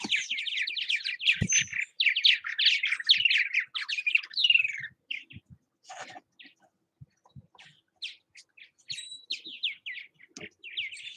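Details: Several Purple Martins calling around bird houses in Southwest Missouri, a loud rush of bubbling, croaking chirps for five seconds, then thinning into scattered single notes and short warbled bursts.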